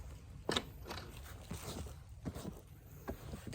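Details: Scraping, clicking and crunching noises sound close by, with no animal call.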